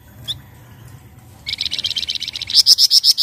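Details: Flamboyan song, from an untrained bird, used to lure other birds into singing: a quick high chip, then a fast buzzy trill that swells into loud, rhythmic high notes about four per second.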